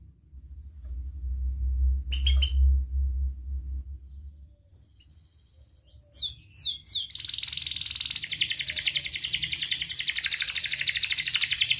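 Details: Domestic canary song with sharp 'cuit cuit' notes and rolling trills, played to lure lazy, silent canaries into singing; a low hum fills the opening seconds, then falling whistled notes lead into a dense, buzzy rolled trill.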